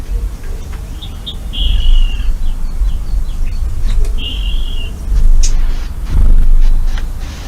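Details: A Eurasian blackcap, probably very close to the microphone at a marsh edge in Urdaibai, Basque Country, on a spring morning of 31 March 2020, gives two short, clear fluted phrases a few seconds apart over steady low rumble and faint background noise.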